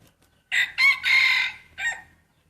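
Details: Breeding rooster crowing in a crowing contest: a loud crow of four parts, two short opening syllables, a long drawn-out middle note and a brief falling final note, in a quiet setting.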